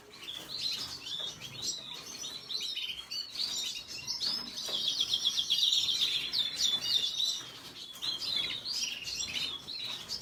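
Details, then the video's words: Venezuelan red siskin gives a long twittering song, soft at first, then louder with a dense burst of rapid high chirps and trills in the middle. "سیسکنی سور سسكن فنزويلي احمر red siskin"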